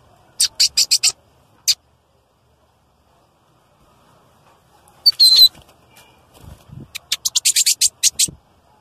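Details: Male lined seedeater singing loudly, used as tutor song to stimulate other birds: quick bursts of high, dry, ticking notes in rapid series, separated by silent gaps, with one brief whistled phrase in the middle.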